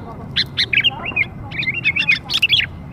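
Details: Lure for young sooty-headed bulbuls: scattered sharp chirps, then a quick run of wavering, slurred notes, bright and cheerful against a quiet background.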